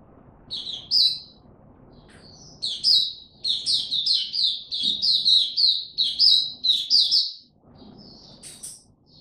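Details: Buka tiong aw song of an Oriental white-eye in ramped-up form, 3 January 2022. It opens with scattered high chirps, then a lively run of rapid, clear twittering notes, and ends with a few isolated chirps.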